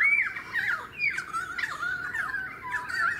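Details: Pied currawong in a suburban area of the Sunshine Coast, Queensland, in February 2018; a continuous run of loud, wavering whistled and squawking notes, rising and falling and slurring together over three seconds.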